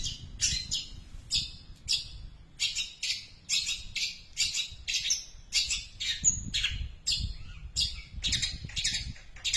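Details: A long-tailed shrike mimics the tree sparrow at length, delivering a steady stream of rasping, squawky chirps in close succession for about ten seconds, with one brief clear whistled note midway.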